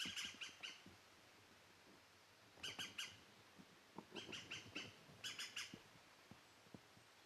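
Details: European green woodpecker (Picus viridis), call.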